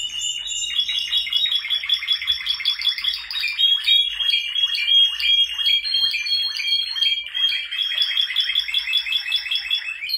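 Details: Male Spanish Timbrado canaries in loud continuous song, dense overlapping rolls and rapid trills with steady metallic tones running throughout and high bell-like notes above.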